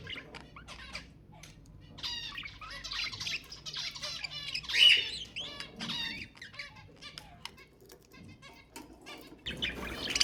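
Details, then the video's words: Budgerigar song played to encourage breeding: continuous busy warbling of scratchy chirps, clicks and nasal squawks, peaking in a loud burst midway and quieter near the end. "تحفيز البادجي على التزاوج حفز طيورك"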